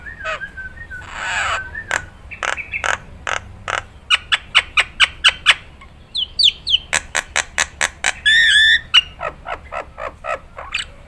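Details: Nias hill myna used as a training recording for other songbirds, giving a varied run of sharp clicks and rapid repeated notes, loud whistled phrases, and a buzzy burst near the end.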